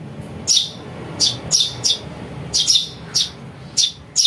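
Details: House sparrow chick calls used as a lure for catching birds: short, high, harsh chirps repeated in irregular bursts, singly or in quick pairs, over a faint low hum.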